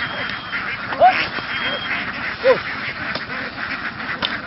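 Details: Laying ducks in Vietnam, a flock herded across the fields and onto a boat for migration, give a quieter background chatter. Two short arched quacks stand out, about one and a half seconds apart.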